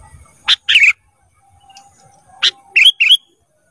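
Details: Sooty-headed bulbul song, used as a training recording for cage birds: two groups of sharp broadband chips, each followed by short whistled notes, set about two seconds apart against a quiet background.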